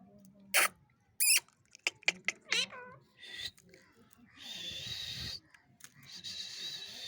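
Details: An angry talking pet parrot gives sharp clicks and short, harsh squawks, then a bent, voice-like cry and longer raspy, hissing screeches, in uneven bursts about every second.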